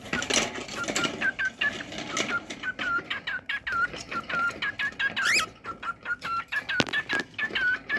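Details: Cockatiel singing, a pet bird: a steady stream of short whistled notes, many with a drooping or looping pitch, repeated several times a second. Scratchy clicks and a few louder noisy bursts run underneath.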